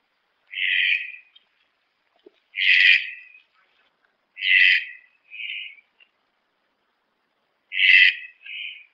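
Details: Red-breasted toucan (Ramphastos dicolorus), song.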